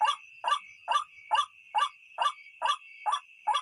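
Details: White-breasted waterhen, known locally as ruak-ruak, in a night-luring recording: hoarse, clipped croaks at a regular pace of about two per second, with a constant thin high tone behind them.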